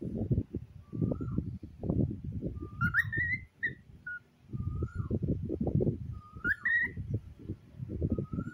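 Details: A pet cockatiel "talking" to a cute toy pig doll gives short, clear whistled notes, several sweeping quickly upward, in loose bursts every couple of seconds over heavy low rumbling and rustling noise.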